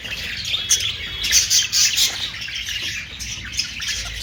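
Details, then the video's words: Budgerigar chatter: rapid high scratchy chirps and short squawks crowding together, several louder bursts in the middle, over a faint low hum. "Austrailian perrot sound"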